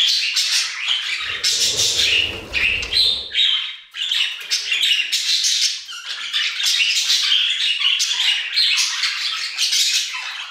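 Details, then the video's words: Several budgerigars singing in an aviary, busy overlapping chirps, squeaky whistles and scratchy warbles, with a brief low rumble near the start. "Budgie Songs - 1 hour of Budgies singing in the Aviary"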